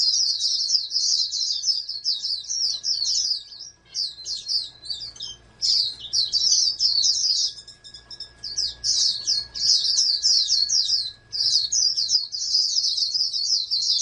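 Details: Sustained shrill twittering song of a farm-raised oriental white-eye, a national champion candidate, in long fast runs with a few brief breaks, over a faint constant hum.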